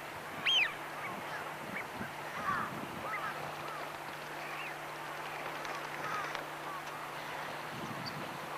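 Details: Wild Eurasian wigeon, a winter visitor, calling: one loud, clear, sharply rising whistle near the start and a softer whistle around two and a half seconds, over continuous murmuring chatter from a flock and a steady low hum.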